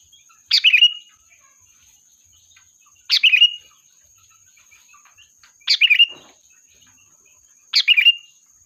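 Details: Lure recording of a gacor sooty-headed bulbul calling its flock. Four short, punchy bubbling phrases, sharp onset then a quick falling warble, spaced two to three seconds apart. A faint high hum persists throughout.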